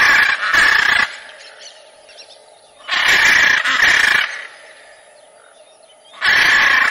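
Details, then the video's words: Macaw calling with loud, harsh, raspy squawks, two long bursts and a shorter one, with quieter grating notes between them. "CANTO DA ARARA"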